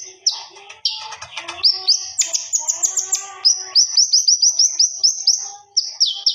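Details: Common iora singing loudly with a feather-flaring display, kept as a master training recording: a chattering start, then a long run of quick high notes and downslurred whistles repeated several times a second.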